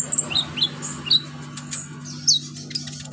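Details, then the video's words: Konin, or olive-backed sunbird, singing to serve as a master for other birds: a few sparse, high, thin downslurred notes and chirps separated by short pauses, with a constant low hum behind. "BURUNG KONIN GACOR LINCAH BONGKAR ISIAN COCOK BUAT MASTERAN"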